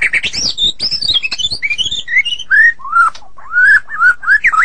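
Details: Morning song of a White-rumped shama: an opening jumble of high sharp notes and clicks, followed by clear, rich whistled phrases that slide up and down, with short pauses between them.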